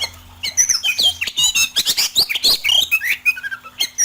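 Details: Rough fill-in song of an oriental magpie-robin, used for training: a dense, fast jumble of harsh chattering notes, sharp whistles and squeaky trills with no gaps, over a low steady hum.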